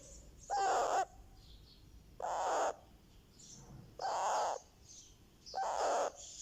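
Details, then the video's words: A baby ringneck (rose-ringed) parakeet making happy sounds gives four harsh, raspy squawks, each about half a second, spaced roughly every one and a half seconds in a quiet room. "makes Happy sounds"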